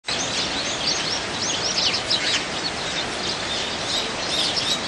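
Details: Dozens of wild Eurasian tree sparrows wintering and competing for food. A dense, continuous chorus of high, overlapping chirps and tweets runs through the clip over a steady hiss of background noise.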